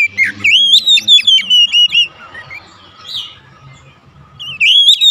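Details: Oriental magpie-robin kept at home, in daily therapy and singing gacor: a rapid volley of ringing whistled notes over faint low rumble, a short lull with soft twitter, then another loud whistled burst.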